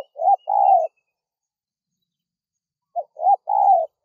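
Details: Spotted dove calling, used to lure wild doves: two groups of low, hollow coos, each a short note followed by a longer rolling coo, separated by about two seconds of silence.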